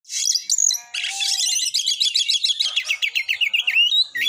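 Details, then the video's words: Oriental magpie-robin in full 'tembakan' song, meant to rouse other magpie-robins to sing and fight: dense high twittering, then a long run of quick clipped notes in a steady rapid rhythm, with sharp whistled accents. "TEMBAKAN BURUNG KACER GACOR FULL MATERI .AMPUH BUAT NAIKAN EMOSI KACER, langsung gacor tarung"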